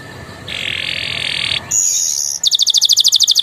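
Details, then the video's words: Canary song with Javan tesia and bar-winged prinia phrases: a sustained buzzy note, a higher thin buzz, then a fast, evenly spaced run of bright high notes. "SUARA KENARI GACOR ISIAN CIBLEK PRENJAK"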